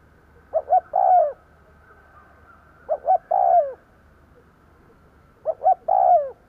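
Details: Three cooing phrases from a decoy spotted dove meant to attract wild doves, spaced about two and a half seconds apart: paired short hoots, then a longer warbling coo dropping in pitch.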